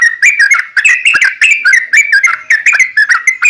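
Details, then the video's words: Sooty-headed bulbul singing long and continuously, played to provoke other bulbuls into song: dense bubbly whistles jumping between slightly higher and lower notes without a break. "trucukan gacor ROPEL PANJANG buat pancingan trucukan agar bunyi jadikan burung trucuk gacor NYAUT"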